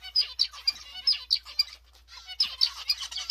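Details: Zebra finches in new pairs giving rapid high nasal chirps in bursts, a brief pause near the middle, then a fresh dense run of repeated beeping notes.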